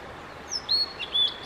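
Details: Blue-and-white flycatcher male in an extended solo song session: a short high whistle, then clear level whistled notes repeated three times in quick succession against a soft background hiss.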